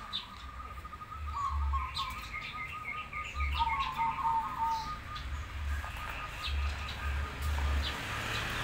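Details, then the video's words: Zebra doves, crossbred versus local birds, in active song: a few trilled, throaty coo phrases at mid pitch, quieter than the busy high chirps of other birds, with low droning hum throughout. "Perkutut gacor Krosing Vs lokal"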